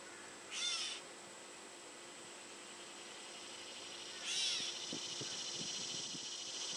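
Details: Gray catbird in a backyard mewing toward the person filming: two slurred, cat-like mews about four seconds apart, each arching then falling, with faint low ticking and clicks from other birds afterward.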